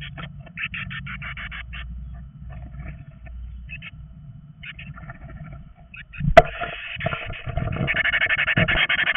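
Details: Male and female bird meeting inside a nest box: scattered scratchy chirps build into a sudden loud, continuous harsh screeching after a sharp knock, with low rumbling from the box.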